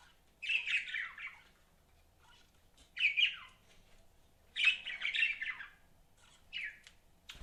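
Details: Pet budgies chirping: short bursts of scratchy warbled chatter, four separate phrases about every two seconds, in a quiet indoor setting.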